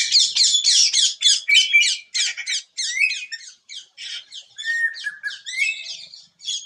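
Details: Greater racket-tailed drongo song: a rapid, varied run of sharp squeaky whistles and chattering notes, some sliding downward, delivered in quick bursts with brief gaps.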